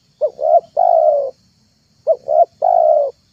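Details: Spotted dove lure call, two crisp phrases each of a quick double coo followed by a long even mellow coo, with a short pause between them.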